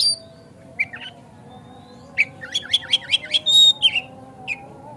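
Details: White-rumped shama song used to prompt a kacer to sing and spread its tail: a fast series of sharp repeated chirping notes, then a long high whistle and a few scattered notes, over low background hum.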